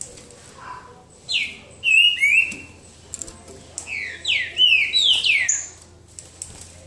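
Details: Green-winged saltator singing in the boca mole style during a singing duel near João Monlevade: loud, clear whistled phrases of sliding, downward-bending notes in two bursts, with faint background noise between.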